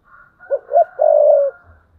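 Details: Single thúc bổi phrase from a spotted dove used as a decoy, 2022: two short low notes leading into a long, even, burry coo, with a faint thin high tone running above.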